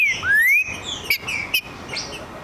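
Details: A green-winged saltator (Saltator similis), provoked until it responds, answers with a rich whistled phrase: a long rising slur, then a few clear, slightly burry notes, over a quiet background.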